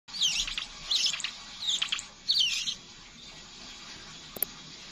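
A Scarlet minivet gives four quick bursts of high, thin twittering in under three seconds, then falls silent apart from a faint click.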